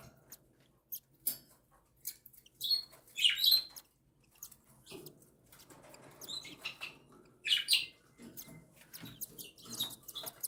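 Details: Cockatiel chicks, a day and a week old, being fed by their mother; sporadic clicks and two bursts of raspy buzzing squeals several seconds apart, soft rustling between.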